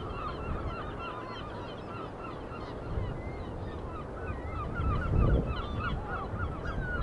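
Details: Many seagulls at the seaside call together in a busy, overlapping chorus of short, yelping notes, set against a loud, constant wash of surf and sea breeze.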